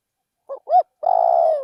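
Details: Spotted dove used as a decoy bird, calling in a Thai rice field: two short hollow coos, then one long, drawn-out, faintly purring coo that falls slightly at the end. No other sounds.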